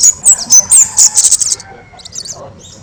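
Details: Kemade song used as a master recording for training other birds: a run of loud, sharp, very high whistled notes for about a second and a half, then fainter scattered chirps.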